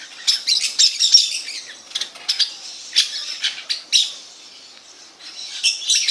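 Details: A flock of parakeets produces loud, rasping screeches in uneven bursts, quieter in the middle before picking up again at the end.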